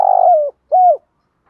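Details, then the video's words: Spotted dove giving the 'thúc gù' coo used to stir decoy birds into answering: a long, slightly rolling low note that slides down, a pause, then a shorter clear arched coo. "tieng chim cu gáy thúc gù"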